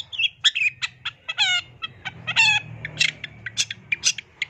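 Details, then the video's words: Long-tailed shrike in vigorous song, recorded as a tutor recording packed with varied phrases: a rapid, varied series of sharp chips, short whistles and buzzy harmonic notes, with dense bursts around the middle and end, and a faint low hum beneath. "Kicauan Cendet No #1❗SUARA Masteran Cendet Gacor FULL ISIAN JOS"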